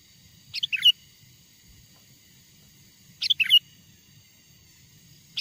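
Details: Lure song of a wild sooty-headed bulbul meant to bring wild bulbuls close: two separated phrases of three or four rapid whistled notes, with a third just starting at the end.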